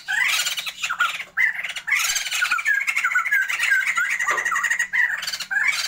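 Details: Sumatran laughingthrush pair, captive for a breeding trial, in full voice: a rolling, cackling laugh of rapid squawks and looping whistled notes, sustained over several seconds with only short gaps.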